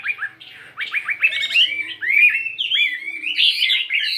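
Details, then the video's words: Morning song practice by a caged fighting Chinese hwamei weighing 72 grams: a run of quick rising slurred notes building into loud rich whistled phrases that climb and fall, with changing tones. "Tiếng Chim Hoạ Mi Chiến 72gam Hót Đảo Giọng Rất Hay."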